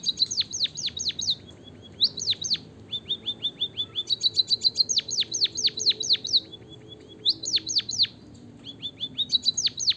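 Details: Javan munia (emprit kaji) song played to coax reluctant munias into singing: continuous high, rapid runs of sharp descending chirps and thin ticking notes, repeated in bursts of about one to two seconds.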